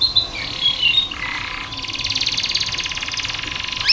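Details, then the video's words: Canary song from a masteran tutor recording for lazy-singing canaries: brief high whistles, then dense buzzing rolled trills that run almost continuously, with a sharp rising note at the end. "KENARI malas bunyi, Terapi untuk kenari masteran canary"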